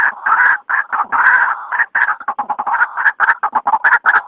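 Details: Night lure call of the white-breasted waterhen, a rapid series of rough, nasal croaks, some longer and some clipped short, packed closely together with short pauses.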